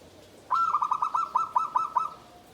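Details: Bamboo-caged zebra dove with a song described as guaring, atos, banter, tembus: a brisk burst of roughly ten clear coos, repeated quickly on one steady pitch and ending abruptly.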